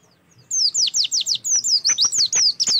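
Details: Oriental white-eye song used as a singing prompt: after a short silence, a dense, rapid series of about a dozen high, sweeping down-slurred whistles.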